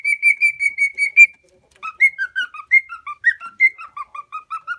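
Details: Pet lutino cockatiel, a four-year-old male from Minoh in Osaka, Japan, that cannot talk. He whistles a steady row of even notes, pauses, then a lively tune of rising and dropping slurred whistles.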